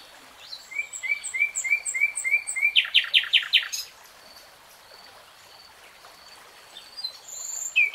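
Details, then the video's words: Common nightingale song with a row of clear, slightly rising whistled notes, then a harsh, buzzy rattle of quick pulses, followed by quiet with distant birds and a closing high phrase. "BEST NIGHTINGALE SONG 3 Hours REALTIME Nightingale Singing"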